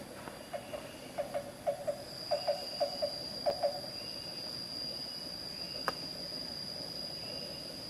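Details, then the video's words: Black-banded barbet, endemic to Java, at Carita, Pandeglang, Banten, gives low, hollow notes in quick pairs for about three seconds, over a steady high insect whine and faint whistles from another bird. "Black-banded Barbet"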